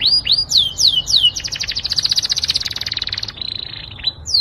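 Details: Yorkshire canary singing as a master tutor bird: several swooping downslurred whistles open, then a long fast rattling trill of evenly repeated notes that slows and fades before a final slurred whistle.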